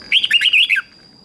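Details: Red-whiskered bulbul competition song used to train birds: one rapid, bubbling phrase of warbled whistles under a second long, ending in a downward slur.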